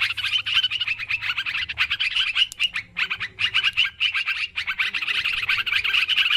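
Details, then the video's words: Noisy group of sooty-headed bulbuls used as a trapping lure, giving busy chatter of quick bright notes with a short lull near the middle before the flock chatter resumes. "Suara Mikat Trucukan Ribut"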